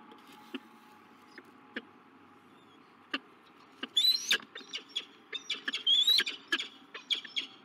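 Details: Peregrine falcons at a nest site in La Crescent, USA, on 16 March 2023, a male meeting a new female. Sparse soft clicks come first, then a dense burst of harsh chipping notes and thin squeaky slurs over a steady low hum.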